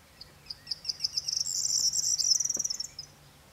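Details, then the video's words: Corn bunting singing: a run of dry ticks that speeds up over about a second, then breaks into a rapid, glassy jangling rattle lasting about a second and a half before stopping abruptly. "potrzeszcz - Corn Bunting - Miliaria calandra - მეფეტვია"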